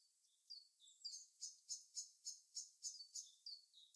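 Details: A bird in its natural habitat: a few thin slurred notes, then nine crisp high chirps repeated evenly about three times a second, ending with a soft falling whistle.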